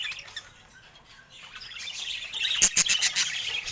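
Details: Pet budgerigars of several colour mutations start quietly, then burst into louder chatter midway, with sharp chirps and clicks coming in rapid groups.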